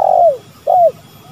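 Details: Spotted dove, male and female calling, used as a lure recording: two loud, hoarse coos, each sliding downward, the second starting with a short rising note, over a quiet background.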